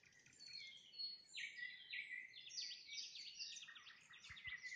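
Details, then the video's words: At sunset a nightingale delivers bright, whistled phrases, each note sliding down then up, repeated in quick series that grow louder, with a soft murmur of background noise beneath. "Пение соловья на закате, соловьиные трели"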